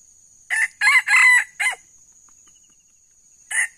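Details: A wild male Sumatran red junglefowl, one of two approaching a traditional decoy lure, gives a short, clipped crow of four harsh syllables, and a second crow begins at the end, over a steady high whine.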